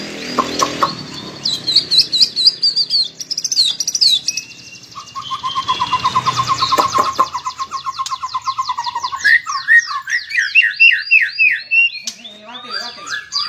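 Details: Melodious masteran song of the white-rumped shama (murai batu): a noisy start, then high warbles, a long even trill of rapid repeated lower notes, and varied whistled phrases sliding up and down.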